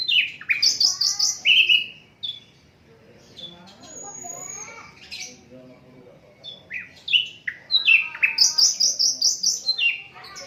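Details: Asian brown flycatcher song, unedited, recorded for tutoring songbirds: rapid bursts of high chirps and slurred notes, a quieter middle section with scattered calls, then another fast chirping series.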